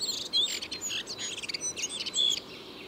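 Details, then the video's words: Redwing song recorded a year earlier in Tsaritsyno Park, Moscow, as redwings start singing in spring; a loud, easily recognisable insert. Rapid high twittering and chirping phrases with short whistled notes, faint background hum. "And he has this loud insert at the red-brow, it is very easily recognizable."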